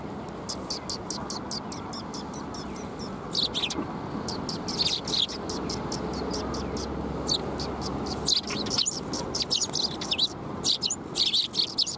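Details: Several sparrows gather at a shrine in February 2021, coming to be fed: dense runs of rapid, high chirps, some overlapping into busy bursts, with constant low background noise.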